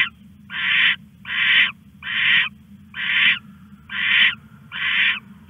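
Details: Owl calling at night while stashing a rat, filmed by a live camera on 21 August at 1:41 am; raspy hissing bursts of even length come about once a second, with constant low background hum.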